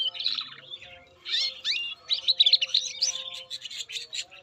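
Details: Canary song from Indonesia: clustered high chirps and slurred whistles in dense bursts, then a run of evenly repeated sharp notes near the end, with a quiet steady tone behind.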